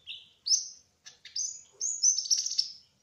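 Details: Brown-throated sunbird, locally called kolibri ninja, speckled trotol type, singing gacor: a short whistle, a sharp upward note, scratchy chirps, then long high whistles ending in a trilled flourish.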